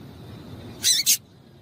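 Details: A pair of rapid, shrill, high chip notes from a female double-collared seedeater, a call meant to excite the male into song, with soft low background noise.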